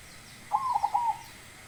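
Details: Baron zebra dove with a big voice producing one clear rolling phrase: a rising opening coo, then three rapid bubbling notes, in a quiet setting.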